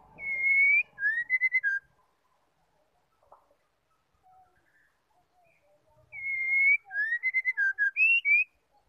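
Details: Female white-rumped shama calling, a sound used to stir male shamas into singing. Two bursts separated by a quiet gap: each opens with a long steady whistle, then runs into several short, clear notes sliding up and down.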